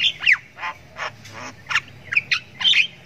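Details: Short burst of ngriwik from a Javan myna chick learning its sounds: separate harsh squawks and buzzy chirps, some sliding downward, roughly three per second.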